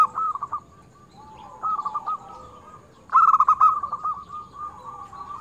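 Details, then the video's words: Local zebra dove singing often with a clear, crystal tone, used as a lure for other doves. Short soft runs of stuttered coos, then one loud burst of quick rolling notes that trails into a long, even series. "perkutut lokal gacor suara kristal UNTUK PIKAT sangat ampuh"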